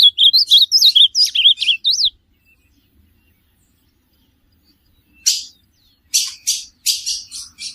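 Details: An ultramarine grosbeak sings for a pet bird to learn from: two seconds of tumbling, sweet whistled warbles, a pause of silence, then clusters of rough, hissing bursts.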